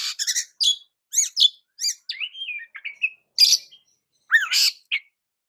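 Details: Song of an Oriental magpie-robin used to provoke rivals: separated sharp chirps and downslurred notes, a short rising whistle, then spaced buzzy phrases with gaps between them.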